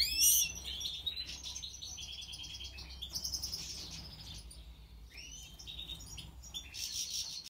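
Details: European goldfinch song with a sharp opening chirp, then long buzzy trilled phrases and scattered high twittering notes, steady and continuous.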